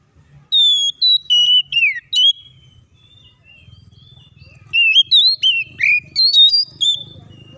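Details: Singing Oriental magpie-robin, used to spur other birds to sing and fight: two bursts of varied whistled phrases, slurred, falling and rising notes with sharp clicks, separated by a quiet pause.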